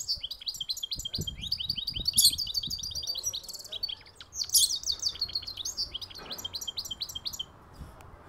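A goldfinch hybrid sings a fast, unbroken twitter of bright chirps and liquid trills, with two harsher buzzy bursts, over faint low thumps.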